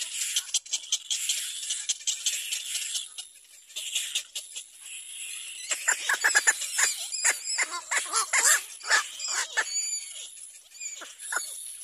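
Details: Little black cormorant; begging call; chick begging its parent for food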